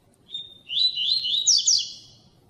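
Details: Double-collared seedeater singing in the tui tui style, used to stimulate song in other males: a high, thin whistled note sliding into a quick twittering warble, lasting under two seconds.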